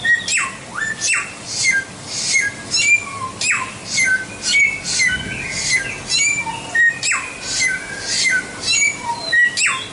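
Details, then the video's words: White-rumped shama song used for training other birds. Varied phrases flow quickly: sharp downward sweeps, short pure whistles and high buzzy notes, with about two phrases per second. "Masteran Suara Samyong"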